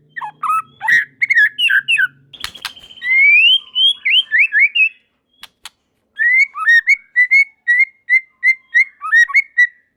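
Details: White-rumped shama song with other shamas joining in; mixed warbled phrases, a loud crack, rising whistled notes, then a steady run of short repeated whistles.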